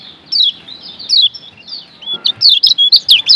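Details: A Lombok yellow white-eye (Zosterops) sings a fast, high twittering run of thin, sliding notes, quickening into sharp chirps toward the end; a song recording meant as a tutor to make sluggish birds sing vigorously.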